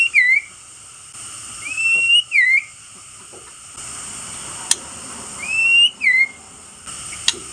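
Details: Provoking song of a male white-rumped shama, meant to excite rival birds: pairs of loud whistles, one rising and one falling, repeated after a pause, with occasional single sharp clicks.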